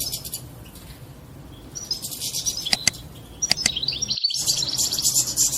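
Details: Mating song of a European goldfinch, said to bring a female into mating posture: sparse high chips, then sharp clicks and a quick rising run into rapid, bright twittering.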